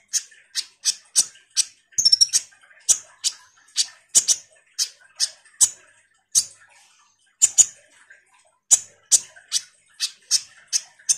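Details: Common iora in steady chatter, used to make sunbirds respond: a long regular series of very high, sharp ticking chips, about three per second, with one quick rattled flourish early on.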